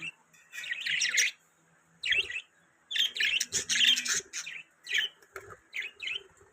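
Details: Budgerigar chatter: long buzzy, warbling chirp phrases alternating with short silences, the densest run in the second half, with sharp clicky notes mixed in.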